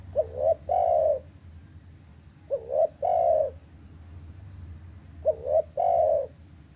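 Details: Spotted dove coos, used on silent caged doves: three phrases about every two and a half seconds, each a bouncing paired note and then a long smooth coo, over low hum.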